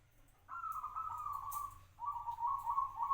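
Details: A local zebra dove, kept for five years, sings two tonal cooing phrases. The first is long and slowly falling; after a short gap, a trilled phrase follows at slightly lower pitch.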